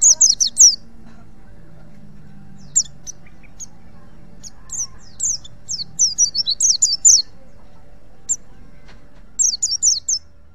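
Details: Wild white-eye from Pacitan, used as a tutor song for training other white-eyes. Short bursts of high, thin chirps and twittering phrases come in clusters separated by quiet gaps, over a faint low rumble of background noise.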